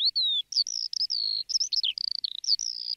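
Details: Lark singing a fast, unbroken stream of high warbled and whistled notes, with sliding tones and short buzzy trills that tumble together without pause. No other sounds are heard.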